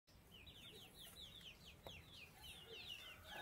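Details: Canaries singing in the morning: a quick, steady run of short whistled notes, each sliding downward, repeated many times a second with slight shifts in pitch, over a soft low rumble.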